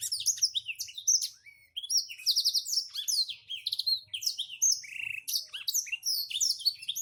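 A Black-throated Canary sings a long, unbroken stream of high, rapid twitters, buzzy trills and quick whistled slurs, packed tightly with almost no pauses.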